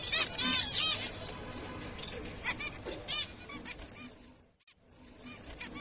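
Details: Zebra finch uttering brief nasal, buzzy notes: a loud pair at the start, then softer repeated calls, ending with a short drop to near silence.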